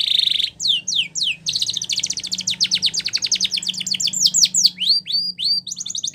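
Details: Spanish Timbrado canary training song, opening with a buzzy tone, then a few sweeping notes and a long run of rapid repeated descending clicks and trills, ending in curved whistles.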